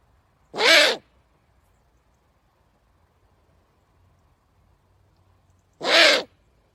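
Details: Owl giving two harsh, hissing screeches, each under half a second long and about five seconds apart, with near silence between them.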